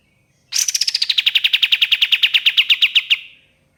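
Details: A single long trill of the ashy tailorbird, played as a lure. Fast, clipped notes fall quickly from a high start, then repeat at one even pitch for close to three seconds.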